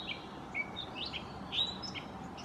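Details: Gray catbird giving a mockingbird-style mimicking song, a quick medley of squeaky whistles and buzzy slurred notes rising and falling, delivered in a jumbled, irregular series.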